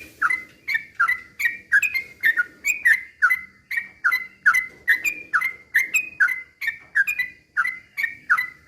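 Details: Sooty-headed bulbul singing fast, used as a lure to provoke other bulbuls into song: rapid run of short bubbly whistled notes near mid pitch, each with a sharp click, repeated about three times a second without pause.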